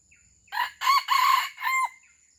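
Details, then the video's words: Lure crow of an Aceh red junglefowl used as a pemikat to draw in wild birds: a rasping, harmonic-rich call split into four segments over about one and a half seconds, with a thin constant tone in the background. "Ayam Hutan Aceh “ Pemikat “"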